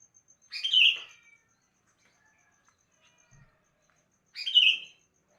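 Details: Sooty-headed bulbul singing in the morning: two short, bright, bubbly whistled phrases about four seconds apart, with near silence between them.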